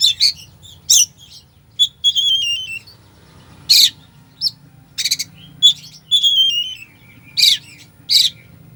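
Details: Oriental magpie-robin in full filler-rich song, meant to rouse a slow bird into singing: scratchy bursts, sharp chirps and sweet drawn-out whistles sliding down, delivered in bursts about every second, with a constant low hum behind.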